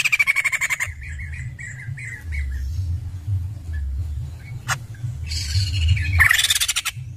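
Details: White-crested laughingthrush in lively song: a fast series of pulsed notes opens, then scattered short chirps, a sharp click, and loud harsh squawking bursts toward the end, with a constant low hum beneath.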